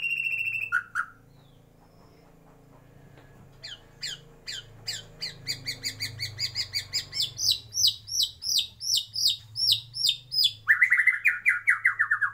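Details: {'caption': 'White-rumped shama in a breeding aviary: a clear whistle and short drop, a pause, then chipping notes repeated faster and louder, ending in a loud falling buzzy rattle; low background hum throughout.'}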